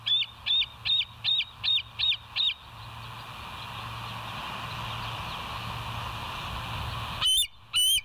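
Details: Live nest cam of West End bald eagles, 07:03 on 29 August 2023: a burst of seven high, squealing piping notes at a steady quick pace, a gap of humming and hiss, then two more loud piping notes.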